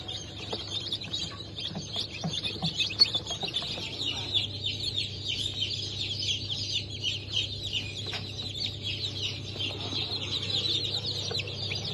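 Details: Newly hatched chicks of Sussex, Sultan, Türken and Australorp chicken breeds from a 08.03.2024 hatch, giving dense, continuous high peeping of many overlapping short downward-sliding notes, with a steady low hum beneath.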